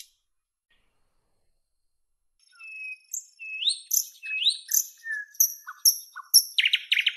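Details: After two seconds of silence a nightingale begins softly, building into high thin whistles, rising slurred notes and sharp pips, ending in loud, rapid, throaty repeated notes.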